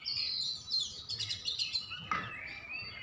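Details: Oriental magpie-robin (kacer) song used as a lure to rouse silent or lazy birds into singing. Rich varied phrases of high clear whistles and quick chirps run into a sharp downslurred note, then a sustained rising whistle.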